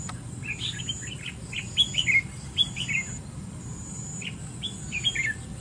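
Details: Red-whiskered bulbul, a kept male of dark plumage with a large throat, recorded outdoors on 25 August; short whistled phrases of quick rising and falling notes in bursts, with steady low background hum and a faint high insect tone.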